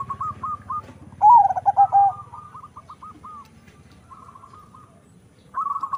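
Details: Crossbred zebra dove of local and Bangkok stock gives a loud, lower rolling coo burst, then softer repeated quick coo notes, with a second dove cooing faintly in the background.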